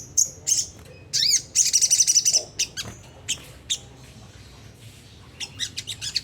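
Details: Sunda whistling thrush, ngriwik kasar song used to lure caged birds into song: a wavering whistled sweep and fast buzzy trill in the first seconds, then scattered sharp chips and quiet gaps.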